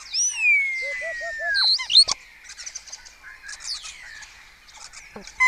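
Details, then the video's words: Colony starlings in Cabañeros National Park, Spain, early morning, competing with imitations of songs; a long descending whistle over four short rising notes, a sharp squeal, then scattered chatter and squeaky whistles. "los estorninos de la colonia rivalizan con sus imitaciones de cantos"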